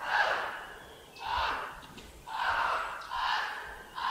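White-necked Raven giving four hoarse, raspy croaks, one roughly every second, each a broad rough burst with a throaty edge.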